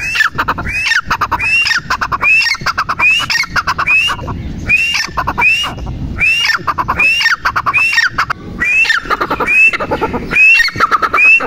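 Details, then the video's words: Female grey francolin calling: a loud rising whistled note about once a second, each led by harsh chattering clicks, repeated steadily through the recording. "Teetar Ki Awaz female"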